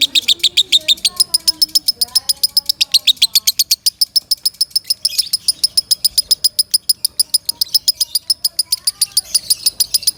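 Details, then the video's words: Loud lovebird song used in training other birds: sustained rapid series of piercing high chirps, about four per second, with a brief rougher burst in the middle and faint lower twitters. "Suara Kencang Lovebird Sukron | Untuk Pemasteran"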